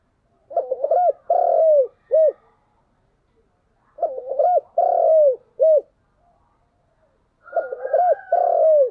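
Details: Spotted dove decoy calling in the morning, three repeated phrases of quick stuttering notes leading into a long descending coo and a short final coo, spaced about three seconds apart.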